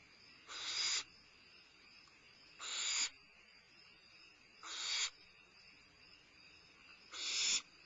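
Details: Barn owl owlet, limping, having a midnight meal at Starr Ranch, 22 May 2011; four breathy, swelling hisses, each building in loudness, come about every two seconds over a quiet steady background.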